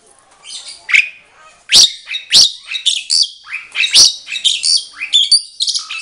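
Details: Captive mated pair of Asian pied starlings, locally jalak suren, singing back and forth at a breeding setup as a sign the pair is matched. Loud, lively mix of shrill whistles, harsh squawks and chattering notes in rapid succession.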